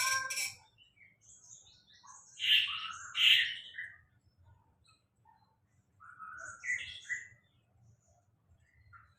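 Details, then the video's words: Cage-bird song: scattered sharp chirps and short whistled phrases separated by pauses, with a faint low hum underneath. "Sulingan Laut"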